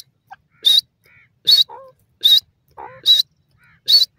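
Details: Grey francolin calling in the wild in a forest among green grass: loud, sharp, shrill notes repeated about every 0.8 seconds in a steady rhythm, with softer, lower slurred notes between them, against a quiet background.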